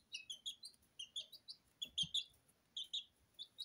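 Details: Sablepoot bantam chicks, two weeks old, in a kitchen, bathing in their own feed; bright high chirps in quick, uneven runs from several birds, with a soft thump of movement near the middle.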